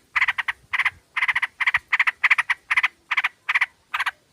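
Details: Lure recording of a female sooty-headed bulbul calling to males. Dense, scratchy chattering runs almost continuously in fast triplets and doublets.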